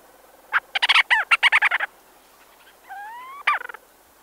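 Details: Two Leach's storm petrels in a burrow, recorded close, giving a rapid series of harsh chattering, arching notes, a pause, then a rising slurred call and a short stuttered trill; steady low hiss behind.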